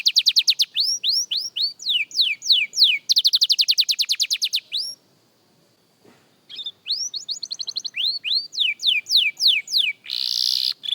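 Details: Beginner young canary at singing practice delivers falling whistled sweeps and a quick rattling trill, goes silent for about a second and a half, then resumes with looping whistles and ends on a harsh buzzy burst.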